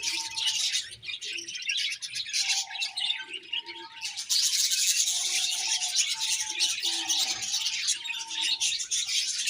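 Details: Noisy high warbling and chirping from several budgerigars. It runs over a series of short, steady, lower tones and soft, deeper murmuring notes repeated throughout.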